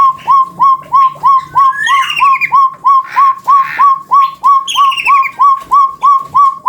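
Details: Chestnut-bellied partridge, a bird endemic to Java, Indonesia, found in West and East Java, giving its long call: clear mid-pitched notes that hook downward, repeated steadily about three times a second, with thinner, higher bird calls above.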